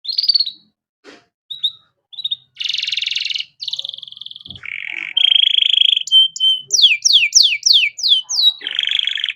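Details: Canary master song with luxurious phrasing, used to tutor young songbirds: varied high phrases, with short whistles, buzzy rolls, a long even trill and a fast series of downslurred notes, then a final rattling roll.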